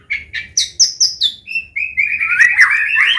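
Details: White-rumped shama of the Medan type in a combination song meant for training young birds: a quick run of sharp, high chirps that settles into a sustained warbling whistle.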